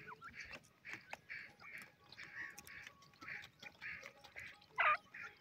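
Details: Grey francolin chicks bathing in soft sand and feeding on the ground: soft, rounded notes repeated about twice a second at an even pace, with faint clicks and scratching between them and a sharper squeak near the end.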